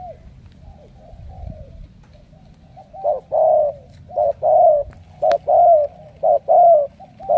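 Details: Wild-caught spotted dove picked as a strong cooer, bound for Hải Dương, Vietnam. It starts with quiet coos, then bursts into loud, rhythmic cooing of short and drawn-out notes, about one a second.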